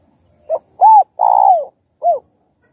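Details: Spotted dove calling phrase, played to rouse other doves to sing: a short soft note, an arched coo, a long buzzy pulsed coo sliding down, then a final short arched coo, all low and clean against silence.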